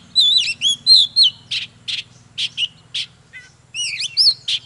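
An Oriental magpie-robin sings a rich, varied song of clear whistled notes, rising and falling slurs and harsher buzzy phrases, delivered in quick bursts with a low hum beneath.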